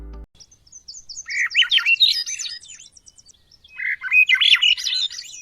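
Two spiraling Swainson's Thrush phrases of breathy, flute-like notes, each climbing upward in a shimmering cascade, preceded by a brief thump.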